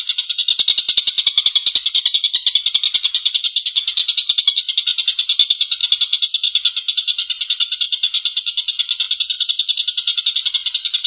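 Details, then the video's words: Long rough laughing call of a Collared kingfisher in lively form: a continuous string of coarse, rasping notes repeated about three times a second throughout, with no other sounds. "Suara tengkek buto||masteran burung gacor ngekek panjang suara kasar"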